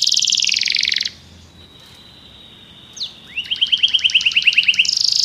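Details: Belgian canary: a dense high buzzy trill for a second, a faint held tone, then a run of rapid rising repeated notes and another buzzy trill.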